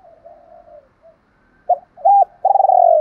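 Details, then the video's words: Spotted dove in the local 'giọng đồng pha' voice style, cooing to call females: faint low murmurs, then a sharp note, a hooked coo and a long throbbing, slightly falling coo, all mid-pitched and clean. "cu gáy giọng đồng pha gáy gọi hai hậu"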